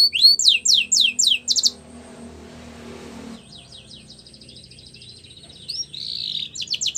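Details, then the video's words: Male canary singing: a burst of rapid, high downward-sweeping notes for under two seconds, then a pause with low background noise, before softer repeated swept notes and a short trill return. "Canary finch Singing | Canary Sounds Male"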